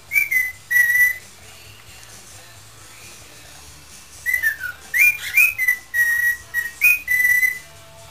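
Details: Pet parrot whistling an improvised tune while asked for 'Spanish Flea': two short held notes, a long pause, then a quick run of falling, rising and level whistles in tight succession.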